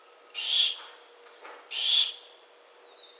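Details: A barn owl repeats two rasping, breathy screeches about a second and a half apart, each a wide noisy hiss, with a faint softer rustle between them and a thin whistle near the end.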